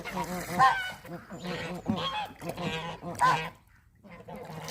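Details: Geese in breeding season honking loudly and continuously, raspy nasal calls running together in quick overlapping series, with a brief lull near four seconds before a lower honk resumes.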